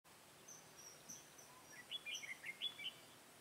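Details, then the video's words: Red-whiskered bulbul of the white-cheeked type, used as a decoy during bird trapping on 1 September 2017. A faint run of quick, sharp whistled chirps sits high, with scattered notes first and then a denser burst near the end. "Bẫy chào mào Má trắng Gấu nguyên con"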